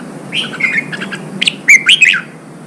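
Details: Red-whiskered bulbul, a newly caught bird in Vietnam being stimulated and trained for singing contests, gives loud, rich warbled phrases: a sliding whistle, then a quick burst of bright, rising and falling notes after a pause, over a soft background hum.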